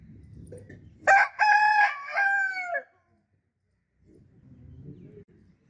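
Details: Rooster crowing once, a loud harmonic cock-a-doodle-doo lasting about two seconds with a drawn-out, falling final note, followed by quiet low background rumble.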